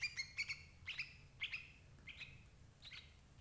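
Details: Sooty-headed bulbul calls used as a trapping lure for adult birds: several crisp, clear chirps that weaken into softer, fading slurred notes.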